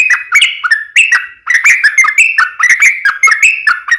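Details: A sooty-headed bulbul sings steadily in fighting style (tarung, uplik ropel): a continuous flow of loud, rich, bubbling whistles with quick upward and downward slurs. Close and clean.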